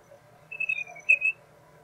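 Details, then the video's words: Jungle babbler (Argya striata) song: a brief run of about five high, squeaky whistled notes in under a second, the last few slightly louder, over a faint low hum. "Jungle Babbler Song"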